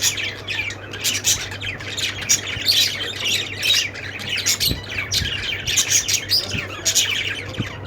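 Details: A flock of budgies chatters in rapid, scratchy chirps and squawks, pulsing louder and softer, with a low mechanical hum underneath.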